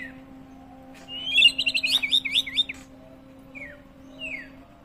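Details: White-rumped shama song used as a lure to make birds answer: a quick trill of repeated sharp notes for about a second, followed by two isolated falling whistles, with a constant electrical hum beneath.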